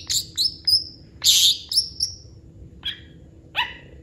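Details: Long-tailed shrike singing a fill-in song: a few high clipped whistles, a loud harsh rasping burst, then two spaced nasal, harmonic calls, over faint background hum.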